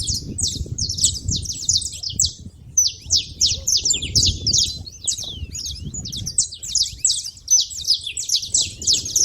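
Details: Saffron finch making noise at a feeder: rapid bright chirping that runs almost continuously, briefly thinning near the third second, over soft low background noise.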